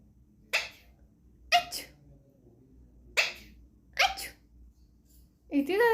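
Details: Talking Alexandrine parakeet kept as a pet, giving a series of five brief breathy sneezes about a second apart, then a louder harmonic squawk at the end, against a low steady background hum.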